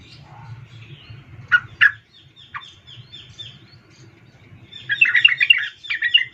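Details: Female sooty-headed bulbul calling the male: faint scattered notes, two sharp loud notes, a soft series of quiet notes, then a dense, scratchy chattering burst at the end over a steady low hum.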